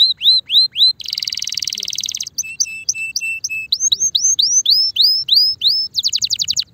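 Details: Mating-ready Spanish Timbrado canary song: rising curved whistles, a dense buzzy rattle, a stretch of short paired notes, more upswept whistles repeated roughly every third of a second, then a quick trill.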